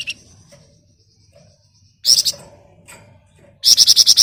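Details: Flamboyan bird singing ngebren rapat nyerecet, a dense, shrill rattling style: a brief buzzy outburst, quiet ticks, then a fast run of seven harsh, high, evenly spaced notes.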